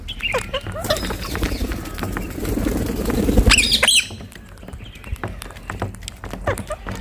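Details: Rose-ringed parakeets perched together on a tree in India, giving two loud, harsh, arching screeches in quick succession, with softer chirps before and after, amid a background of rustling, tapping and a low rumble.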